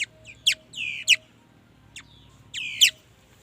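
A mi dat bird sings bright, high whistled phrases, each a sharp downslurred note with brief trills, in short bursts over about three seconds against a faint hum.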